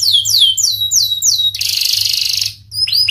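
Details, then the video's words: Panda canary singing actively: a string of loud, clear downward-sweeping whistles, each about a fifth of a second, followed by a harsh rapid buzzing trill and then upward-swooping notes. "Kenari panda gacor"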